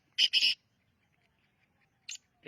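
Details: Young black francolin of the Sindhi type giving two harsh, grating, buzzy notes in quick succession, followed by quiet gaps and brief fragments of further rasping notes.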